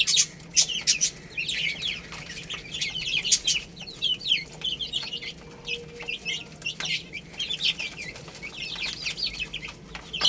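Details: Baby chickens peck at rice and peep continuously, bright high chirps overlapping in a busy chorus, with sharp clicks and taps scattered throughout.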